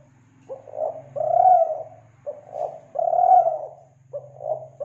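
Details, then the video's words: Spotted dove from Kelantan, a call recording used to lure doves: soft, mellow coos in repeated phrases, a short coo followed by a longer drawn-out one, recurring about every two seconds over a steady low hum. "Pancingan Suara Burung Tekukur Kelantan"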